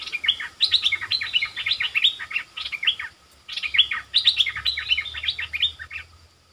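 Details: Streak-eared bulbul kept as a lure bird calling to draw in wild birds; rapid bursts of short, bubbly chirps that swoop down, arriving in two dense runs about three seconds apart, with a faint low hum underneath.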